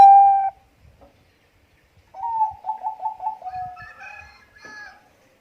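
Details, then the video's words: Singing Bangkok zebra dove used as a prompt for other caged birds. A long steady coo ends, a pause follows, then a string of rapid bubbling coo notes and a softer, wavering phrase with faint bumps in the background. "perkutut bangkok gacor langsung bunyi"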